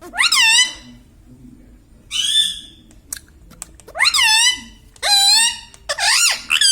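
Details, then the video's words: Talking pet Indian ringneck parakeet indoors, giving five separate nasal, harmonic mimicked words with bending pitch over about seven seconds, with soft clicks between them. "Mitthu Mitthu Bolne Wala Batuni Tota - Talking Parrot"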